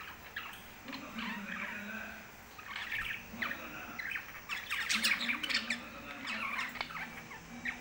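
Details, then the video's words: Pet lovebirds, several birds, keep up continuous chattering, with shrill chirps and squeaky squawks overlapping throughout. Lower warbling sounds run underneath, and there are brief louder bursts of clustered chirps. "love birds kothai birds speaking"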